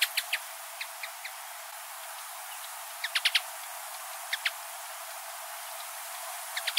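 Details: Common linnet giving dry, buoyant, twittering 'jit-it' calls, typical as birds take off or fly, in short bursts of two to four notes scattered across several seconds over faint background hiss.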